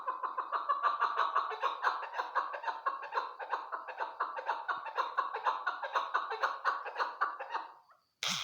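A Chukar partridge gives a rapid, cackling run of harsh chuck notes, about two each second, that carries on steadily before ending with a brief click.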